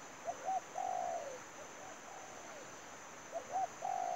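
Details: Spotted dove calling as a decoy for trapping: brief double coo leading into a long, slightly falling coo, repeated about every three seconds with a softer echoing phrase between; steady insect whine.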